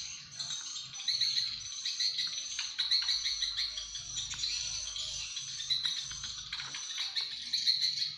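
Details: White-rumped shama, Aceh form, delivering a dense run of quick high chirps and twittering notes with brief gaps, set against a constant shrill background buzz.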